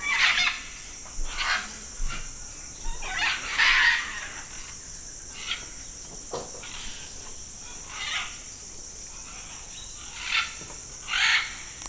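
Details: About 100 macaws feeding at a natural clay lick in Manu National Park, Peru, give harsh, raspy squawks in uneven bursts every second or two, over a steady high-pitched insect drone.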